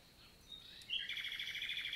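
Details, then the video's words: Common nightingale singing on a June morning in the Lot, southern France; a thin whistle leads into a loud, sustained, rapidly pulsing trill. "NIGHTINGALE MORNING SONG"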